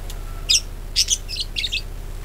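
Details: Budgerigar singing to lure other birds into song: four quick bursts of harsh, buzzy chatter, each short and noisy, spaced about half a second apart over a low background hum.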